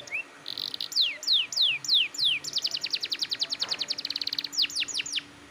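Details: Canary singing persistently to stimulate young canaries: a short buzzy note, a series of slow falling whistles, then a rapid trill of sharp notes and a few final sweeping whistles, with a faint low hum.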